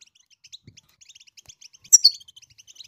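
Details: Goldfinch singing to teach its chicks to sing: a rapid, steady string of thin, high chirps and twitters, with a brief louder burst of sharper notes near the two-second mark, then the quick twittering continues.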